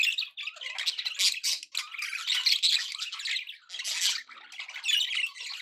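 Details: Pet budgies in good spirits chatter almost nonstop, a dense high scratchy warble with squawks and little chirps rising and falling in loudness.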